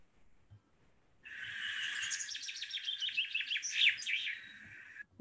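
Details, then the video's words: Classic common chaffinch song, whose final trill is its characteristic sign, though some birds do not always manage it; after silence, a bright rapid series of notes descends steadily and ends in a quick flourish, about four seconds long. "Men det liksom den klassiske bokfinksangen."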